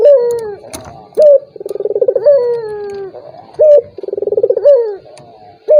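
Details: A turtle dove repeats its call to stir a reluctant rival: a sharp, loud note, then a quick throbbing series of pulses that runs into a long, descending coo, about every two and a half seconds.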